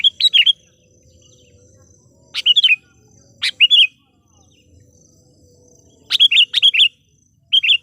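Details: Decoy sooty-headed bulbul, kept for calling wild birds, in lively song: short clusters of chirpy, liquid whistled notes separated by pauses of a second or more, with a thin steady tone and a low rumble in the background.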